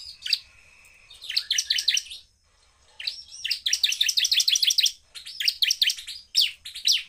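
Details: Bar-winged prinia singing at full power to provoke rival prinias, delivering dense bursts of rapid high chips and trills separated by short silences.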